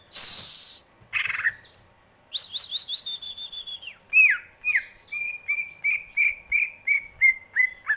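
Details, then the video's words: Song of a greater green leafbird, said to be pleasant and calming: a noisy hiss, then a quick chattering trill, followed by a steady string of clear, short down-slurred whistles about twice a second. "Burung cucak ijo, bikin adem indah dengarnya"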